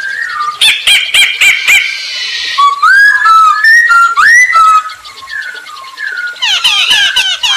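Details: Masked laughingthrush singing energetically, used as a lure to set other birds singing: harsh rattling bursts and a buzzy chatter give way to a string of clear whistled notes sliding upward, then more dense chattering notes at the end.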